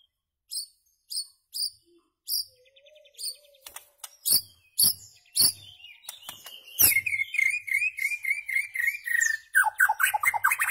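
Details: White-rumped shama song, played for tutoring goldfinches and their hybrids in very rare notes: a few sharp high chirps spaced half a second apart, then a rush of varied whistled phrases and quick rattling trills growing louder toward the end.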